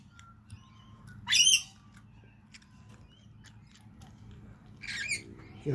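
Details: Cockatoos having a seed breakfast on a balcony give a loud rasping screech, then a quiet stretch with faint chirps, and a second softer harsh call near the end, with low hum beneath.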